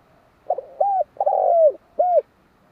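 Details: Spotted dove calling a single phrase of four coos, the third long and falling in pitch, the others short and rounded, heard close against a quiet background.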